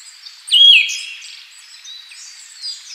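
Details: Siberian Thrush (Zoothera sibirica): one loud clear whistled note, briefly falling then held level, trailing into faint high twittering and a quieter note near the end.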